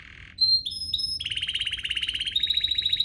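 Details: Canary lure song for stirring other canaries to sing: a few pure whistles, then a long even rolling trill that rises slightly in pitch near the end.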